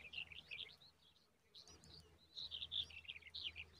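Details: Common babbler chicks in the nest give bursts of thin, high, squeaky chirps in quick runs, pausing briefly between bursts, over a faint low hum.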